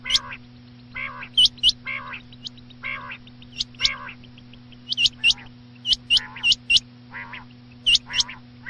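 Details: Quail calling at night: sharp, hooked, high-pitched notes in quick pairs and short runs. They alternate with lower, nasal, buzzy bursts and play over a steady low electrical hum.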